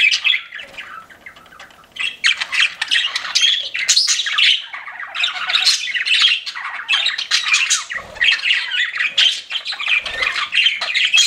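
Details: Pet budgerigars keep up long, busy chirping and warbling chatter made of buzzy, scratchy notes and squeaks in overlapping bursts, with brief lulls and two low thumps.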